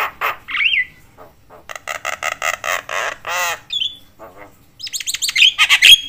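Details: Javan myna in full chatter, said to rile up other mynas: raspy squawks, a rapid string of buzzy harsh notes, then high whistled trills near the end.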